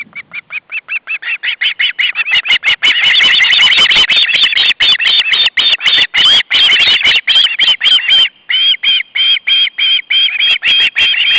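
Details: Three hungry osprey siblings, August 2012, begging loudly as the male arrives at the nest with fish; rapid cheeps swell into an almost unbroken, intense stream of high, slightly wavering squeals.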